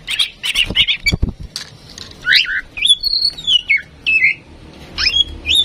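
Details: Female oriental magpie-robin, tame and used to prompt other birds to sing, mixing rough scratchy chatter and a couple of loud knocks with sweet whistled notes, some rising, some sliding downward, in irregular bursts.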